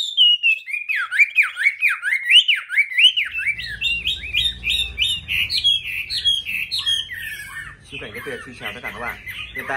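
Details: Caged Chinese hwamei, kept at home, singing: loud whistled notes sliding down and up in rapid repeated loops, later mixed with scratchy chatter over a low background rumble.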